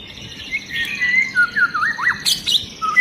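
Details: White-rumped shama, long-tailed, agitated and setting other shamas singing: varied whistled phrases sliding between mid and high pitch, with looping warbles and a sharp high burst near the end.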